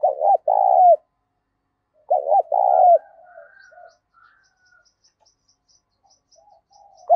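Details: Two full phrases of a spotted dove singing in the thổ voice style, loud and clean: a brief double coo, then a long coo ending in a downward slide. A third phrase begins at the end, with faint high ticking in between.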